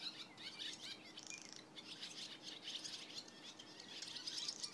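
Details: Barn swallows twitter in a busy morning chorus on July 27: quick, high chirps and short warbling runs overlapping throughout, with a faint steady hiss underneath.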